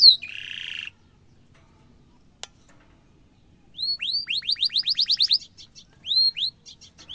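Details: Canary song used as a tutor recording for young and adult canaries: a buzzy trill opening, a lone click, then a fast series of rising upswept whistles and short repeated phrases, all high-pitched over a quiet background.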